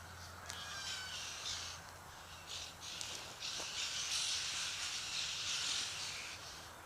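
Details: White-winged choughs in a flock of about 60 or 70 birds, acting strangely after eating a kangaroo, give continuous harsh, hissing, rasping calls in overlapping high bursts, with faint rustling beneath.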